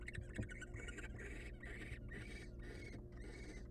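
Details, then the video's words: Hungry wild barn owl nestlings begging inside a monitored nest box stocked with prey; harsh hissing bursts, each about half a second, repeat in an uneven run over a low steady background hum. "Barn Owl Family's Massive Food Supply for Their Hungry Nestlings"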